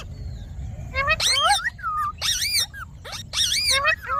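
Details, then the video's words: Pet green Indian ringneck parakeet, known as a talking bird, uttering a few bent, speech-like harmonic notes and squawky bursts with short pauses between, over a faint low background hum. "Talking parrot video|Ringnek parrot video|Parrot voice"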